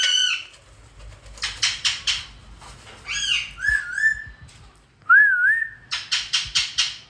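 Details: Wild parrots with two baby chicks and their parents, flying at home; bursts of harsh rapid squawks come in quick series, mixed with a wavering whistle and a rising, wobbling tonal note.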